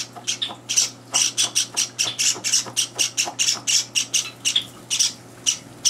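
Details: Java sparrow chicks begging at breakfast indoors, third day in their new home, while two older birds barge into the feeding: harsh, raspy, high chirps in quick irregular bursts over a steady low electrical hum.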